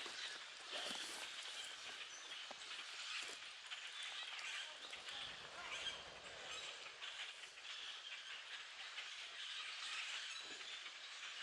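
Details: A huge common grackle flock, hundreds of birds feeding in treetops, keeps up a busy chorus of sharp squeaks and chatter, with some individual calls briefly poking out of the wash.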